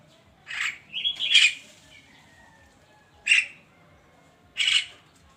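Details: Javan myna singing in the morning, harsh squawks mixed with a brief whistled slur and a thin fading whistle, then two more spaced rasping notes.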